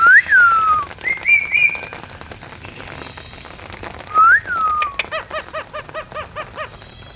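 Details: Talking Indian ringneck parakeet out in the rain: two rising-then-falling whistles and a warbled phrase, followed by a rapid run of repeated rich chirps, about seven in quick succession, over steady falling rain.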